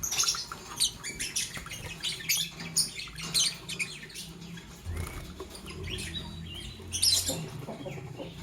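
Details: A green Fischer's lovebird and a pastel blue lovebird in the morning give dense runs of thin, high, scratchy chirps and squeaks, nearly continuous, with light rustling noise below.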